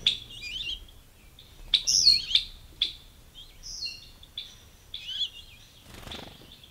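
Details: Ruby-throated hummingbirds fighting at feeders give rapid squeaky, tinkling chatter bursts and high chips in clustered bouts separated by brief pauses, fairly close and clear.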